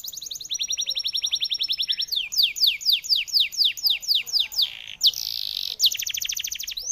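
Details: Canary in full song: rapid high trills of repeated notes, then a run of sweeping descending whistles about four per second, a brief buzzy burst, and a return to fast trilling, with no other noise.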